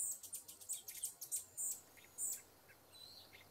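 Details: Rufous hummingbird, a feisty species known for attacking rivals at flowers and feeders, giving a rapid run of thin, very high chipping notes for about two seconds, then a few fainter, scattered high chips against a quiet, hissy background.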